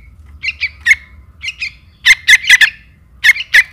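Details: Young trukan calling its mother, lure sound: softer paired chirps building into loud, rasping squawk runs, then a final pair of harsh notes, over a faint low rumble.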